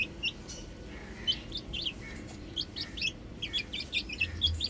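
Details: Chicken chicks playing on a roof: a flock gives short, high, downward-slurred peeps in scattered overlapping bursts over a low background rumble.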